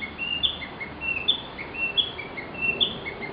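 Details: Narcissus flycatcher, recorded over ten years ago, singing a rhythmic run of paired whistles, a lower note then a higher ringing one, repeated a little over once a second against steady low hiss.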